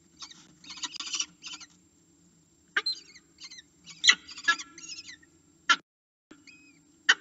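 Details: Falcon begging to be fed at a camera-monitored nest: uneven clusters of loud, harsh, chattering notes with sharp single cries and brief whistled slurs separated by short quiet gaps.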